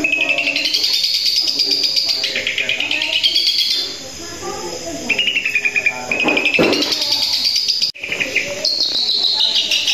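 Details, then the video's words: Long-tailed shrike (cendet) singing in lively 'gacor satu titik' style: a varied, busy stream of high chattering and whistled phrases, some sliding or held notes and fast rattles, with a brief break near the end. "Cendet gacor satu titik"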